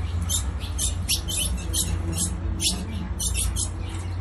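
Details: Calling female ultramarine grosbeak stimulating the male, giving crisp, clicky chip notes in a fast irregular stream above a constant low droning background.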